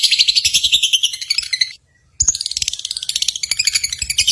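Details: Simulated lovebird contest chorus, played to stir pet lovebirds into singing. Dense, shrill, rapid chattering trills from several birds, broken by a brief silence near the middle before the busy chatter resumes.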